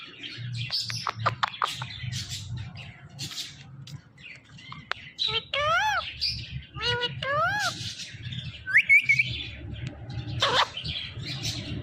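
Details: Talking pet parrot gives scattered chirps and short notes, two bursts of wavering harmonic warbles in the middle, and a brief high squeak, over a steady low hum.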